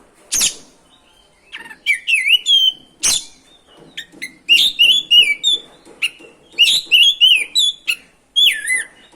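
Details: Vigorous oriental magpie-robin song used as a lure to make other magpie-robins sing: sharp clicks and bursts of fast, varied whistles, trills and slurred notes in repeated loud groups.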